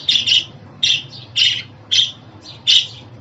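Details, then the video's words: Pet budgerigar calls intended to make a caged budgie sing: five or six rasping chirps, some doubled, coming about twice a second, with a soft hum underneath. "Muhabbet Kuşu Sesi, Kuş Sesi! Muhabbet kuşu ötüşü, muhabbet kuşu çağırma sesleri!"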